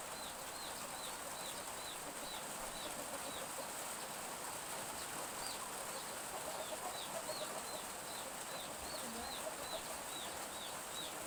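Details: Chicks calling behind a village house on a morning of gentle drizzle: high, thin, downward-curving peeps repeated every half second or so, steady and unbroken, over a constant hiss of light rain.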